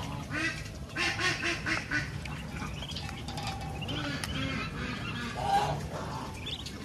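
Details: On a countryside farm, a mother duck out feeding with her ducklings gives a quick run of five arching nasal quacks, then quieter calls, while thin high duckling peeps and low background rumble continue.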